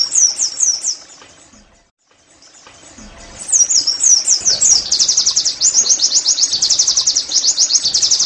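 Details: Caged-bird therapy recording of an Oriental white-eye: a burst of high chirps, a brief pause, then looping downslurred whistles running into a long fast trill of thin, high, evenly repeated notes.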